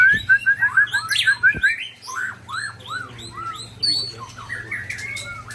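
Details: White-rumped shama, Ujong Pancu bird, opening with a fast run of about ten crisp repeated whistled notes, then slower arched slurred whistles and varied chirps of its rare 'isian' song; a steady hum lies beneath.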